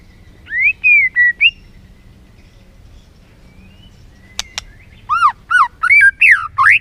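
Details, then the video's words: White-rumped shama song serving as a lure to excite another shama: a few rising and arched whistles, a pause, a sharp click, then five loud up-and-down whistled phrases spaced about half a second apart. "PANCINGAN MURAI BATU BONGKAR ISIAN GACOR, MURAI BATU MALAS NAIK EMOSI LANGSUNG BUNYI GACOR."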